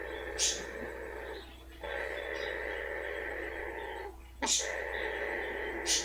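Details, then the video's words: A female blue-fronted amazon, enjoying having her rear rubbed, makes a steady, buzzy purr with a grainy, rasping texture, broken by three short, sharp snorts at the start, middle and end. "Parrot and her Purr & snort"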